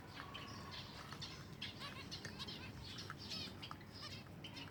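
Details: Silver Java sparrows at feeding time produce a busy stream of bright, bubbling chirps and short trills, several birds calling together over a dull low background noise.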